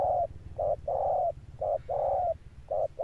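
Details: Wild-caught spotted dove giving a deep 'thunder-tone' coo with stamping accompaniment, a durable ending phrase: low hooting notes paired short then long, repeating steadily, over a faint low rumble.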